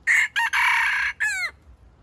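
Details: Junglefowl bait bird crowing to attract wild chickens to a trap; four quick harsh segments, the longest strained and even, the last sliding downward.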